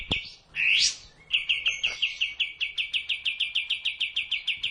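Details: Sooty-headed bulbul on a training recording for caged birds: a sharp note and a loud rising swept whistle, then a fast regular run of high chipping notes that carries on to the end.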